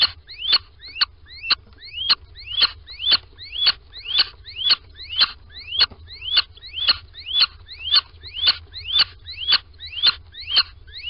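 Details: Little owl squeaking on entering a nest box in Sprundel, 13 February 2020, morning: a long, regular series of short rising squeaks with clicky attacks, about two per second, in a still setting.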